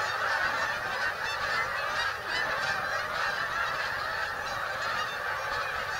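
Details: Large flock of migrating geese coming into a Delaware wildlife refuge, USA, a constant wash of many overlapping honking calls with no pauses, slight swells in volume.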